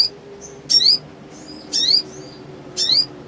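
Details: Black sunbird (sogon), lively and fluttering its wings, used as lure audio for silent birds; three bright, high-pitched twisting chirps spaced about a second apart, with soft thin notes between and a low background hum.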